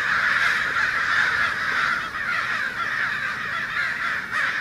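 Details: A large flock of American crows congregating in a Fresno, California neighbourhood on 2 January, gathered around an ironbark eucalyptus; a dense, continuous chorus of overlapping harsh caws from many birds, with no single voice standing apart.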